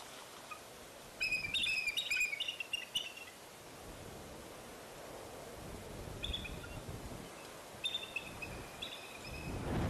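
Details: Bald eagle at the Fraser Point nest on 04-10-2019, the day eaglets fell out of the nest and returned. Short clusters of high, thin piping notes come early, then a few faint repeated whistles over steady wind-like noise.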